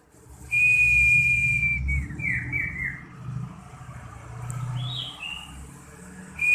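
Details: Young common iora tested to make it bold in fighting, giving a long, clear whistled note held steady for about a second and a half, then short slurred whistles and a higher rising phrase, with low background rumble.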